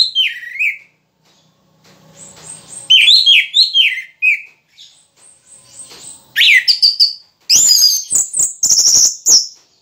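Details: An orange-headed thrush in moult sings lively, varied whistled phrases, some falling, some rising, mixed with high thin notes and sharp clicking sounds near the end.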